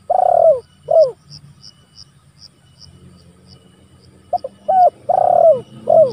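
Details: Spotted dove calling to rivals, used for luring and training: repeated throaty coos, each bending downward, given in two groups separated by a quiet gap, with faint evenly spaced high ticking in the background.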